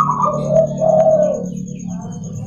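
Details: Morning song of a local zebra dove, played to lure and train other doves: a high coo sliding into two long, mellow, lower notes, fading over a steady low hum and faint high whine.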